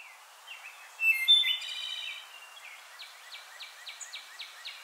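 Wood thrush song: a flutey phrase that bursts into a ringing, buzzy trill, then a steady run of about seven quick, high downslurred notes.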